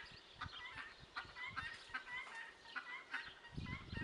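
Guineafowl give harsh, grating calls, several birds overlapping in quick irregular bursts, with low thumps of handling or wind noise underneath.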